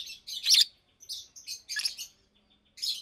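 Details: Fischer's lovebirds, a caged adult pair nearly two years old, chirping in daytime: a few bursts of shrill, rasping chirps, one notably loud, with quieter pauses in between.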